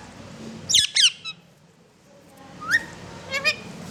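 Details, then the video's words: Talking parrot saying "mithu": two harsh, raspy squawked syllables in quick succession, a short faint note, then a pause before two higher, clearer, rising voiced syllables, against a quiet background. "talking parrot saying mithu"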